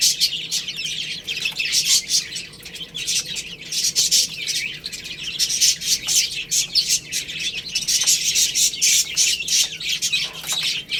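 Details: Baby chickens chirping while eating rice and playing: dense, high, rapid peeps and tweets overlapping throughout, with scratchy bursts in between and no pause.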